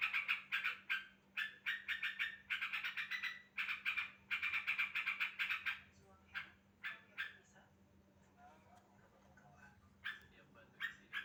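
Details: Sooty-headed bulbul call played to prompt a silent bird to answer: rapid bursts of sharp, chattering 'cuk-cuk-cuk' notes in quick runs, then sparser notes after a lull, over a steady low hum.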